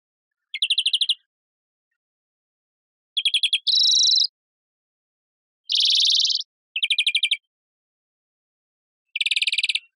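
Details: Song of a European greenfinch, with short rapid trills alternating with drawn-out nasal, buzzy wheezes, delivered in separate bursts with pauses of a second or two, and no other sounds.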